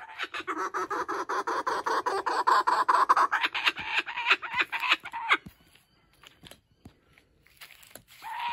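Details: Laughing kookaburra, a male at a wildlife sanctuary, plays possessively with a stolen stuffed toy. He gives a quick stuttering chuckle for about five seconds, then goes mostly quiet, with faint clicks and a last note.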